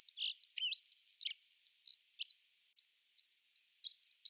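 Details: Dunnock (Prunella modularis), a Russian forest bird, sings a fast, high, jingling warble of squeaky notes in two hurried phrases with a brief pause between them.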